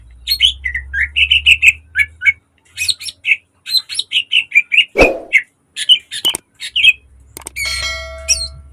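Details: Lure and training model song from a caged green leafbird, said to sing constantly with sharp, dense bursts and many imitated phrases. Quick runs of chirped notes, a brief harsh noise midway, then a ringing tone near the end.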